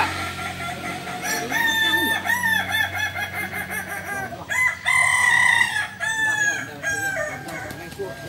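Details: Crowing contest of Balenggek chickens, landiak class, held Sunday at Ampang Kualo in Solok city: several roosters give drawn-out, multi-step crows with sustained bright tones, overlapping continuously over a low background hum.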